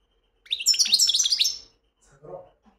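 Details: A European goldfinch delivers a single rapid, high, glittering twitter phrase in the wedani song style, followed by a brief low rustle.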